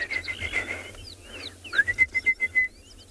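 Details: Orange-breasted bushshrike calling far off in the morning chorus at Tswalu Kalahari Reserve, South Africa, 15 October: a run of about six clear, even, quick, level whistled notes among thin chirps and whistles of other birds, including a golden-breasted bunting.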